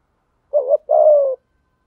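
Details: Single spotted dove phrase from male and female calls used to lure and train birds: a short wavering coo followed by a longer, steady, slightly falling coo; nothing else audible.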